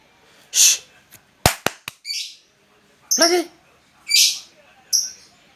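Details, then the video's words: Lovebird calling actively (gacor): short, shrill, high-pitched chirps at irregular intervals with sharp clicks between, alongside a person's brief voice and hushing. "burung Lovebird Gacor"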